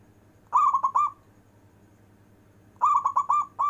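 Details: Long-breath performing song of a local zebra dove, used to stir lazy zebra doves: one stuttering cooed phrase, a pause, then a longer phrase of five or six rapid coo pulses, another phrase starting at the end.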